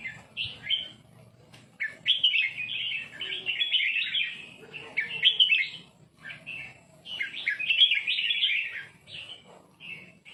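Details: Red-whiskered bulbul singing to tutor young birds, which learn to copy it: lively, repeated phrases of liquid chirps and warbled whistles, delivered in quick bursts with short gaps.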